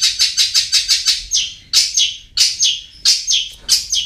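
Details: Long-tailed shrike (cendet) lure/training call, used to get reluctant birds singing: a fast burst of about seven harsh, high chirps, then a series of doubled, downslurred scratchy notes.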